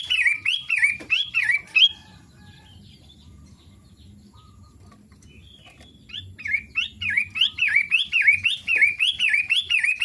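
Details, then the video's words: Daily singing from a long-tailed shrike: a burst of rhythmic rising-falling whistles, a four-second lull with soft background noise, then the same quick whistled series resumes steadily. "Kicau harian Pentet matahari?"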